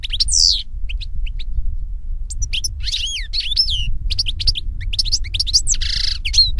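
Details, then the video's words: European goldfinch singing in nature: scattered bright twitters and looping whistled chirps over a steady low rumble of background noise. "Birds Singing - European Goldfinch"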